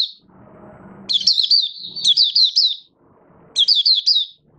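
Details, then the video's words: Caged Malaysian Oriental white-eye in open-singing 'buka' style, delivering bright high warbled phrases of quick down-slurred notes in two bursts, with low room noise between them. "Malaysian Mata Puteh - Buka Sing"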